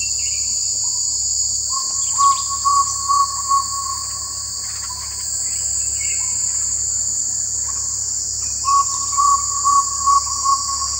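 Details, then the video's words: Jungle owlet (Glaucidium radiatum), also called barred jungle owlet, of the Indian Subcontinent: two bursts of rapid, evenly spaced low notes, five or six each, set against a loud, steady, high-pitched cricket drone with faint chirps from other birds. "Jungle Owlet Call"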